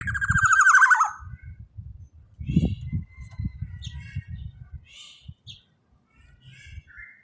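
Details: Black-naped oriole giving one loud, harsh, nasal buzzy call that slides downward over about a second. Faint scattered chirps and a low rumbling background follow.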